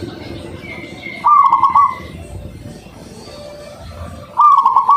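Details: Local zebra dove whose clear, melodious voice is meant to lure other doves into singing; short bubbly trilled cooing phrases heard twice, about three seconds apart, over a low rumbling background hum and a faint high whistle.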